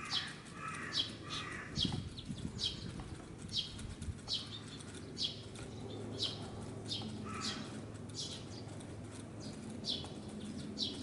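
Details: Parent Eurasian tree sparrow keeping watch over a fledgling while attracting a natural enemy's attention at an apartment bicycle park. Rapid high chirp bursts, roughly every second, with soft wing flutters and a low hum.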